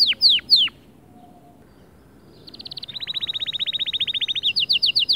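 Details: White male canary delivering a motivational song for other birds: three falling whistles, a pause, then a very fast rolling trill of uniform notes and a quicker series of sharp notes.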